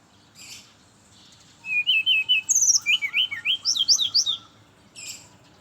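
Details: Brown-chested jungle flycatcher singing in the morning, used as a lure for others of its kind: a run of quick, high, slurred whistled notes, rising and falling, with faint clicks before and after.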